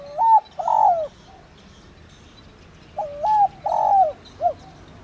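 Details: Spotted dove of the wild field type giving its calling coo, used to rouse decoy doves: two mellow cooing phrases about three seconds apart, each a short note, a longer slurred coo and a brief falling final note.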